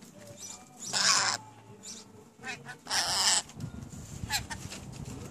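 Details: Pet rainbow lorikeets, new to the household and said to be talking: two loud, harsh, buzzy screeches about two seconds apart, followed by faint chatter and low rumbling background noise.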